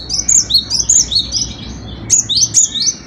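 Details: Cinereous tit in lively song: a steady run of high, clear whistled notes, each pair stepping down in pitch, repeated rapidly for about two seconds, a brief break, then another quick burst.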